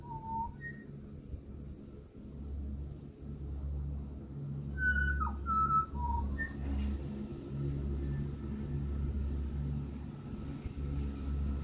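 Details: Australian pied butcherbird (Cracticus nigrogularis), a frequent visitor at a house near Tintenbar, NSW, gives a few clear, fluty whistled notes, some rising or stepping higher, with long pauses over a steady low traffic rumble; finding: Pied butcherbird.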